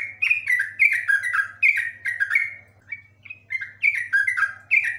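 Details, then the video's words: Trucuk, the yellow-vented bulbul, delivering long 'ropel' song: rapid strings of gurgling, downward-slurred notes broken by a brief quieter gap with two softer whistles, a faint low hum underneath. "trucuk ropel panjang super komplit"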